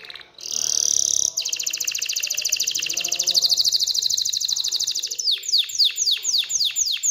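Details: Excited canary singing to prompt females toward mating and nest building: a long unbroken rapid high trill followed by a handful of loud sweeping downslurred whistles.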